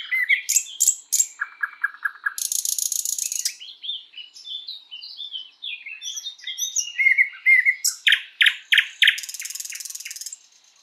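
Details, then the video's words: Sprosser in full spring-forest song, mixing sharp clicking notes, a low rattling series, a dense buzzing trill and soft twittering phrases, then a run of loud repeated piping notes and another harsh rattle. "Bird sounds Nightingale bird singing"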